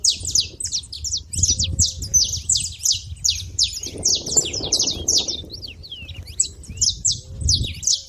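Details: At a feeder, saffron finches keep up a lively, high-pitched chatter of quick sharp chirps and brief twitters, uneven in pace, with a few softer lower whistled notes and a murmur of background noise midway.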